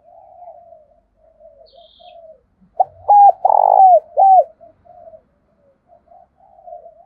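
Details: Spotted dove decoy bird calling to stir up wild rival doves: a loud burst of short arched coos around a longer rolling middle note lasting about a second and a half, with soft, faint cooing trailing before and after.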